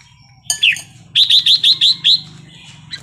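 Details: Red-whiskered bulbul wild-style song: a sharp descending whistle, then a rhythmic series of six bright bubbling notes repeated about every fifth of a second, over a steady low hum.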